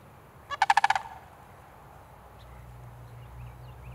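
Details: A sandhill crane, an apparent winter visitor to a park in Lancaster County, Pennsylvania, gives one short, rolling, rattled call of about six rapid pulses. A low rumble and a few faint distant chirps follow.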